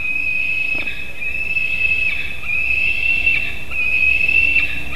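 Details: Young White-tailed eagle screaming from afar near a Latvian nest on an August morning after a fish delivery, long level whistled screams in several drawn-out phrases.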